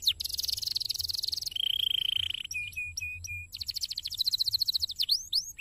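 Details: Canary song in a cassava garden: a dense buzzy trill, a level whistled rattle, three hooked whistles separated by pauses, then a fast regular trill closing with a couple of downslurred notes.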